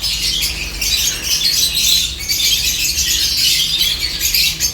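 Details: Seventeen lovebirds eating corn together give dense, overlapping high-pitched chirps and squeaks that run without pause, with a faint low steady hum underneath.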